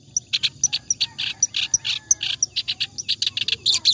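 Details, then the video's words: Clamorous reed warbler singing nonstop for tutoring other cagebirds; grating chattering notes mixed with thin high pips, delivered in quick, slightly uneven rhythm. "BURUNG KERAK BASI NGACOR COCOK BUAT MASTERAN"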